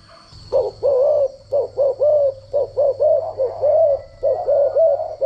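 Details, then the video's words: Decoy spotted dove used for training and luring doves. It gives a rapid run of short, husky, rounded coos, often in pairs, with barely any gaps over five seconds. A faint high steady tone and low hum are audible behind it. "chim cu gáy mồi giọng gáy chuẩn dùng luyện giọng chim cu gáy mỗi ngày"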